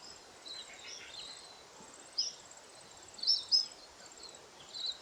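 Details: Winter flock of lesser redpolls, mainly females, eating seeds from alder cones in the Maungakotukutuku Valley, Kapiti, New Zealand. A few sharp, loud high chirps, some doubled, rise above a quiet background of insect buzzing.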